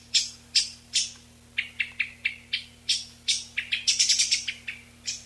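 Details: Eyebrowed thrush, a migratory mountain bird, in a noise-reduced recording meant to lure a flock: a quick series of about seventeen thin, high, sharp notes, some bursts faster and higher-pitched, over a faint steady low hum.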